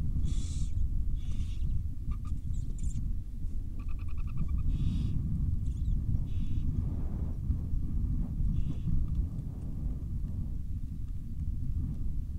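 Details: Wild barn owl family with young in Israel: harsh, breathy hissing screeches in short bursts, repeated every second or so and then thinning out, over a constant heavy low rumble.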